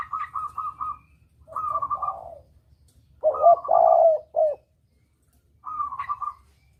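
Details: Spotted dove recorded as a hunting lure in the double-kuk style: quick stuttered rolling notes open, then deep throaty coo phrases with a long held final note, ending with another short rolling series.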